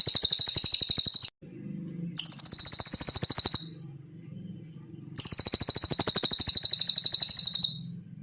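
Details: Songbird training recording of a cililin: three bursts of very high, sizzling, rapidly pulsed trill, each lasting one to three seconds, with a low droning hum in the gaps.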